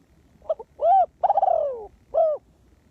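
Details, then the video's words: Spotted dove decoy bird cooing to lure wild doves: a short hiccuping lead-in, a rounded coo, a long falling, slightly rattling coo, then a final arched coo, over faint low background noise. "The Cu Gáy Mồi Đất"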